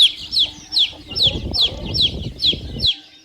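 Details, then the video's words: Domestic chicks peeping in shrill, falling notes, roughly two to three per second, with a burst of low rustling or handling noise under the middle of the calls before it stops abruptly. "CANTO E SOM DOS PINTINHOS - PINTINHO PIANDO"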